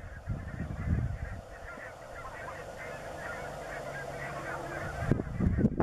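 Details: Greenland white-fronted geese at Kinnabus on Islay, including collared birds: a flock keeps up a continuous overlapping chatter of yelping, laughing honks, with low thumps early on and sharp clicks near the end.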